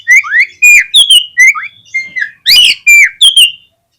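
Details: Lure song of an Oriental magpie-robin, used to trigger other magpie-robins to sing: a rapid sequence of loud, clear whistles, rising and falling slurs and sharp downslurred notes, nearly continuous for about four seconds.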